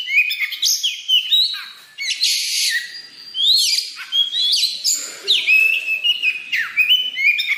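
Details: Energetic song of a white-rumped shama, meant as a lure and for conditioning: varied whistles mixed with harsh rasping bursts, quick downward sweeps and chattering notes in a continuous, loud stream.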